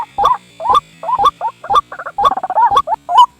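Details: White-breasted waterhen lure sound for snaring: uneven croaking notes, some rising and some in quick stuttered clusters, over a faint low hum.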